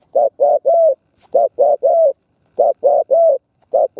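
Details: Spotted dove used to lure wild doves, uttering rhythmic triplets of low hollow coos, the last of each group slightly longer, repeated roughly every second.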